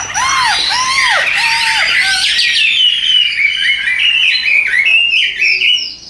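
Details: Tame caged Chinese hwamei singing, a bird noted for tail-fanning in contests; loud looping slurred whistles descend repeatedly, then break into a rich, varied run of rising and falling whistled phrases and quick trills.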